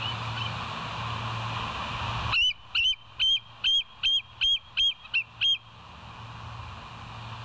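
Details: West End bald eagle on a live wildlife cam, 7 July 2023 at 06:21 in the morning; after a hissy start, a burst of about nine high, piercing, evenly spaced chittering whistles, then fading background hum.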